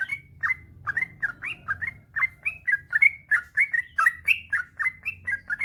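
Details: Long 'ropel panjang' rolling song of a yellow-vented bulbul, a training recording meant to set other bulbuls singing: quick series of short liquid chirps, alternately up-slurred and down-slurred, delivered nearly continuously over faint low rumble.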